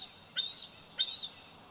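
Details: Young bald eagle at its nest in Big Bear Valley, 104 days old, captured on a nest cam on 27 July 2019: two high, piercing whistled notes with an upward slide and a level tail, roughly 0.6 seconds apart, against soft steady noise.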